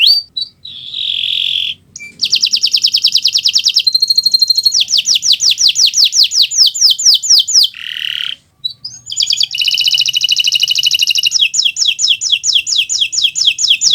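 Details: Canary of the Kenari Nusantara type in full song, used as a tutor recording for other birds learning to sing: rapid trills of repeated notes, buzzy rattles and sustained tones, switching between phrases with brief pauses.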